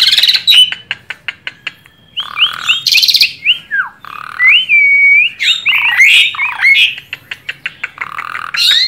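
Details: A tame Asian pied starling pours out lure song: dry rapid clicks, then varied whistled phrases, drawn-out level notes and downward slurs broken by harsh chattering.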